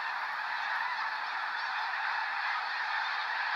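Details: Flock of snow geese taking flight near Sacramento National Wildlife Refuge, November 2018; countless overlapping nasal honks merge into a steady roaring chorus with no pause.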